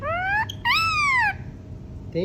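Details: Pet green ringneck parrot speaking. One long harmonic phrase rises steadily, then after a brief click a second drawn-out arched phrase follows, ending with a short rising syllable. The room is otherwise quiet.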